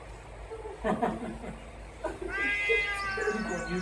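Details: A Trumpeter Hornbill at Mjejane Private Game Reserve, Kruger National Park, South Africa, in December 2022, gives a loud, nasal, drawn-out, cat-like wail like a crying baby after a few short harsh notes; a person speaks briefly.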